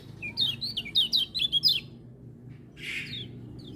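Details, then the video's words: Lemon-bellied white-eye singing as other birds join in: a rapid, loud burst of about eight sweet slurred high notes, then a pause and a soft harsh note with a faint trailing whistle. "Kecial Kuning Gacor Dengar Suara Kecial Kuning Ini Burung Lain Pada Ikut Bunyi"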